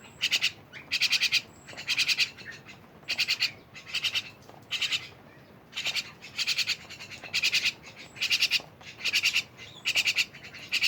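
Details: Myna chattering steadily: repeated short grating bursts of rapid pulses, roughly one burst per second over about eleven seconds, over a soft hissing background.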